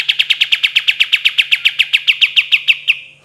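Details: A fast 'tembakan' volley from a kapas tembak: around twenty crisp, high staccato notes fired in quick succession, slightly quicker than a steady beat, ending abruptly with a fading tail in a clean, quiet setting.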